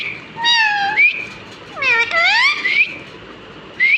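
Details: Pet talking parrot mimicking human speech; rich, harmonic voice-like sounds with swooping pitch, a sustained tone, then a falling-and-rising phrase, and a short rising note at the end.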